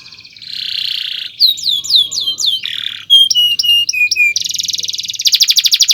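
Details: Canary long chirping song for training other birds: a buzzy rolled tone, then a run of swooping whistled notes, rapid twangy chirps, and a fast high trill at the end.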